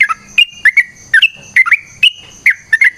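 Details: Yellow-vented bulbul in lively 'gacor tarung ropel panjang' singing style, used as a lure to prompt other birds to answer: short bubbly whistled phrases near mid pitch, repeated about every half second, with a faint steady high whine behind.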